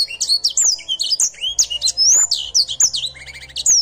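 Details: Canary in full, busy song: dense high warbled phrases of rapid slurred whistles and sharp clicks, with a brief buzzy trilled passage near the end; faint background hum.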